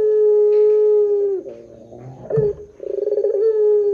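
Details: End of a long, steady low coo from a Barbary dove, lure sound for other doves. It falls away into a pause with a short note, then a fresh vibrating, rolled onset begins the next drawn-out call.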